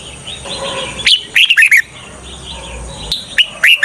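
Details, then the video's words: Decoy red-whiskered bulbul, used to draw in wild birds for trapping, delivers short bursts of sharp chirping whistles, rising then dropping, after a soft warbling lead-in. "Chào mào mồi cực nhạy _ Âm thanh cho ae đi bẫy _ Chào mào mồi dụ bổi rừng"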